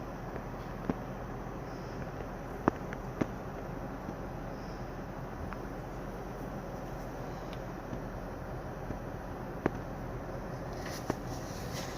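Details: Steady hum of traffic and indoor room noise with a few faint clicks and no animal voice.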